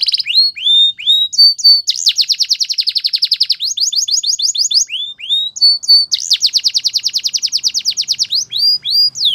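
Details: A canary sings repeated bursts of fast rolling trills, each introduced by a few sliding whistles, with short pauses between sections.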